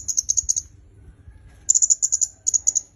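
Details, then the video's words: Red-headed myzomela used as a tutor for songbirds: three runs of quick, high, clicking notes, the first and last short and the middle one longer. "Suara Kemade Kepala Merah"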